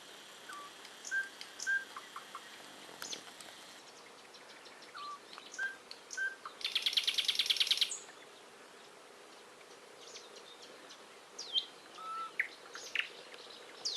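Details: Several birds singing outdoors: scattered high chirps and short whistled notes, with a loud, dense buzzy trill in the middle lasting about a second, over a soft steady background hiss.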